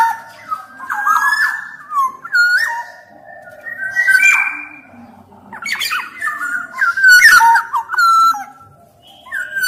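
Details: Black-naped oriole singing vigorously, kept as a tutor bird to prompt reluctant orioles into song: fluty, mid-pitched whistled phrases with sliding notes, interspersed with harsh nasal squawks, in short bursts separated by brief pauses.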